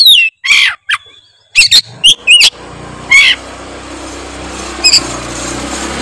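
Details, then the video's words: Kacer, the Oriental magpie-robin, in gacor song: clear whistled notes and short scratchy bursts in the first seconds, then a long hiss of background noise with a few further whistles. "denger suara kacer gacor satu ini"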